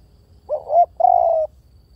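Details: A single spotted dove phrase. A quick double hoot swells upward, then a drawn-out even coo follows after a short pause. The background is otherwise quiet.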